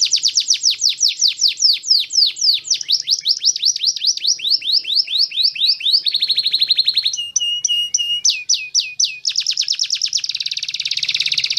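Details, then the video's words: A canary sings a long string of high, rapid trills, switching between swooping repeated notes, a flat buzzing roll, and clipped chirps, before finishing on a dense, rattling trill, with a quiet, clear background. "Solusi Kenari Malas Berbunyi"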